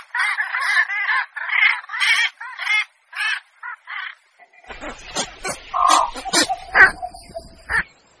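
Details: Javan pond heron calls used as a hunting lure: repeated harsh, rasping croaks in quick succession for about four seconds, followed by a noisier stretch of scattered clicks and rough calls.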